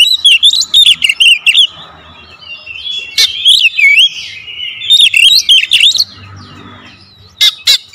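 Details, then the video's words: Kacer (magpie-robin) lure song with dense bursts: rapid, varied whistled and chattering phrases, sharp sweeps and clicks, delivered in quick packed runs with short pauses, over a faint low hum. "PANCINGAN KACER SUPER POWER TEMBAKAN RAPAT"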